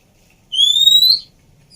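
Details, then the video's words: Female Oriental magpie-robin, whose whistling is meant to stimulate a bird that went quiet, gives a single clear whistle that rises slowly over about three-quarters of a second, pure and bright against near silence. "Siulan Burung Kacer Betina Cocok Untuk Terapi Macet Bunyi"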